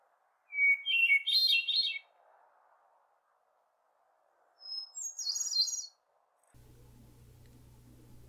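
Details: Hermit thrush (Catharus guttatus) singing in northern woods in June: two fluty phrases, each opening on a clear held note and breaking into ringing, rising flourishes, the second pitched higher; a low hum follows.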